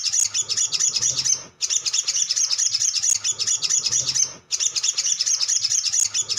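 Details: Male sogon singing as a lure to trigger other birds: dense, high-pitched twittering chatter of rapid squeaky notes, continuous, with brief breaks near 1.6 and 4.5 seconds where the loop restarts.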